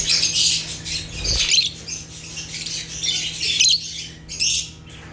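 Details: Natural chirping from rare African lovebirds (Agapornis): harsh, shrill squawky chatter in long dense bursts with a brief gap, one low thump, and a faint steady hum below.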